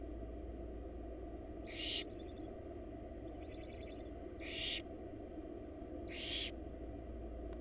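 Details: Wild barn owl chicks in a nest box in Florida, being fed by their mother. Three harsh, breathy hissing bursts, each about a third of a second long, come two to three seconds apart over a steady low hum.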